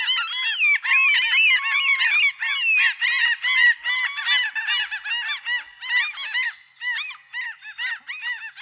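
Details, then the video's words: Seagulls calling together in a dense, overlapping chorus of harsh, arched, downward-bending cries, many voices layered with rapid repeats and no pause throughout. "seagull, animalsounds"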